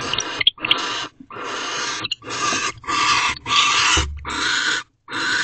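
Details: Female and male barn owls mating and bonding inside an owl box at night, 2:16 am, 4/6/23: a run of harsh, hissing screech bursts, each about half a second, repeated in quick succession with short gaps.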